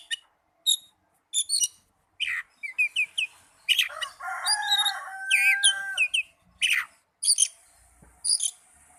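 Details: Young Oriental magpie-robin alternating sharp chirps with a long, lower drawn-out tone and busy twittering, phrases broken by short pauses over several seconds.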